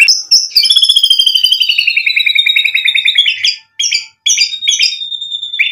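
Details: White-rumped shama in energetic gacor song, a lure meant to provoke other shamas into answering, full of isian mimicry: a fast rattling trill sliding slowly downward, then sharp clipped whistles and a long level whistle.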